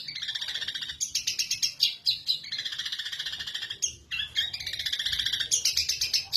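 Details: Long-tailed shrike in a cage in Indonesia, singing hard after its cover is opened, with long flowing phrases: sustained buzzy, trilling warbles broken by short gaps and sharp high chips, a rapid rattling texture throughout.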